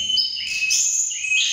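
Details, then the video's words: Mountain tledekan in a vocal contest with rival birds, excited on meeting: one continuous stream of shrill, high whistles that glide up and down, sustained through the whole moment without a break. "BURUNG TLEDEKAN PENUH EMOSI"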